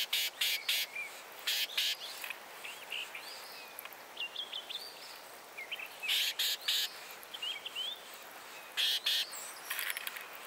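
Carolina Wren giving harsh, buzzy chatter bursts in short clusters, mixed with thin high chirps from other small birds against a soft outdoor hiss.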